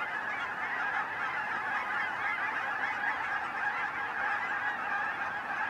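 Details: Swirling flock of geese at Finley National Wildlife Refuge: a continuous dense chorus of overlapping honks from many birds, steady throughout with no pauses.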